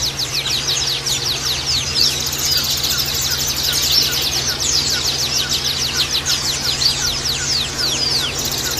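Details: Oriental white-eye twittering for therapy of caged males in communal cages: bright, rapid, descending chirps in long rhythmic series, several voices overlapping, with a steady background hum.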